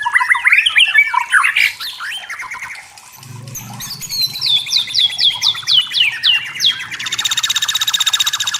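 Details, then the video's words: White-rumped shama singing in forest, a rich varied song of whistled phrases, quick descending slurred notes repeated rapidly, then a fast buzzy trill; a low hum runs underneath midway. "Suara Murai Batu Hutan Jernih Alami Jernih Shama bird"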